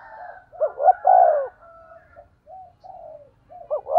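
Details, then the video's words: Spotted dove decoy, 'thổ' voice, giving a 'thúc gù' coo phrase: quick stuttering notes into a long low coo, then soft murmurs and the start of another phrase. "cu gáy giọng thổ THÚC GÙ bài bản"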